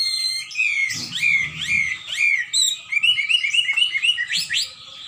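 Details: Hwamei singing vigorously: a fast run of loud, clear whistled notes, many sliding up or down, varied phrases tumbling into one another with short gaps, high and ringing throughout, with a faint low hum beneath.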